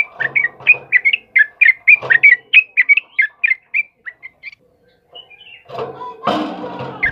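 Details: Sooty-headed bulbul song used as a master recording for training cage birds. A lively string of bubbly, liquid whistled phrases is repeated rapidly for about four seconds, then gives way to a burst of rough noise.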